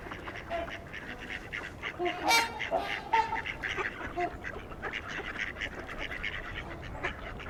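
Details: Male and female Mallards, people-fed, among about 125 trumpeter swans and some Canada geese at LaSalle Park, Burlington, Ontario, in winter, March 2021, give rough, nasal quacks in short overlapping bursts over a constant murmur of waterfowl.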